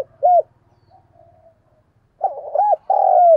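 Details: Decoy spotted dove in the thúc gù and gáy gọi styles, used to lure wild doves. One short arched coo is followed by a pause. Then comes a phrase of quick looped notes and a long, loud, slowly falling coo.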